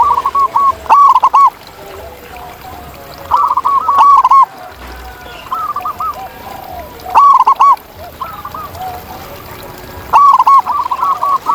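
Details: Zebra dove singing in the wild: loud clipped phrases of rapid, arching coos repeat about every three seconds. Quieter answering coo phrases fill the gaps, and a faint hiss runs throughout.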